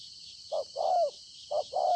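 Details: Spotted dove, wild-caught, recorded 26 September 2020, giving two low coo phrases, each a quick short note then a longer descending coo, over a constant faint high buzz.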